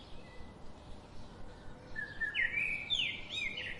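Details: Singing bird, species not given: a thin whistle, then a loud rising, trilled warble in the final half, over low background hiss and rumble.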